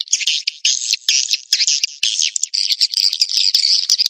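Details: Swiftlet call and roosting sounds, a lure combination used by swiftlet farmers in Indonesia to draw birds into roosting houses: dense, buzzy, high chattering chirps in rapid overlapping bursts, with brief clicking gaps between them.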